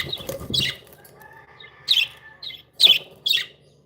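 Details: Happy pet budgies: a few sharp, high chirps and short squeaky notes spaced about half a second apart, with soft rustling in the background.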